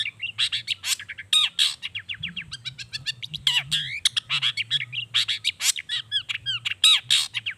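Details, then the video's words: Long-tailed shrike song used as a singing lure: a long, continuous, highly varied stream of chirps, trills and curling whistles, rapid and mimic-like, over a faint low hum. "SUARA CENDET GACOR ISIAN ALAM || ANTI GAGAL efektif bikin cendet malaspun langsung ikutan bunyi"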